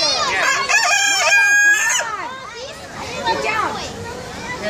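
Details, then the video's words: A rooster at the Bronx Zoo gives a loud, harsh, drawn-out crow in the first two seconds, with children's chattering voices throughout. "Rooster Crowing"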